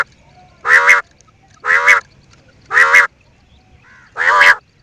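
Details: Quail uttering four loud, buzzy, honking croaks, each about a third of a second long, spaced roughly one second apart, with a faint softer note between the last two.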